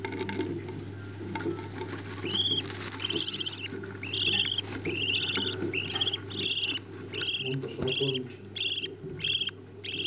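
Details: Budgerigar parents feeding their chicks. Harsh, buzzy begging notes start faint, then become loud and regular, about one every half second to second, each sliding slightly upward. A soft constant hum sits underneath.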